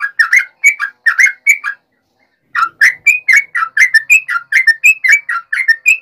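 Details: Yellow-vented bulbul delivering its fighting nggaruda ropel song to rouse rival bulbuls: two long runs of rich, bubbling whistled notes, each note swooping up or down, broken by a brief silence.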